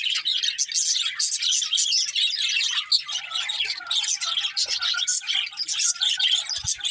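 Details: Budgies in a group give a steady, busy chorus of sharp chirps and warbling twitters, overlapping without pause over seven seconds, with a soft low thump near the end.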